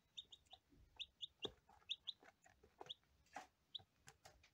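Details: Day-one lavender Ameraucana chicks call steadily with clear, high, descending peeps in quick succession, over faint background hiss and occasional taps.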